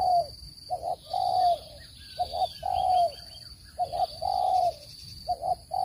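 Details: Spotted dove call for luring birds into traps, clean voice: low coo phrases of clipped double notes and longer falling hoots repeating steadily, with a burst of faint high twittering and a continuous electronic tone.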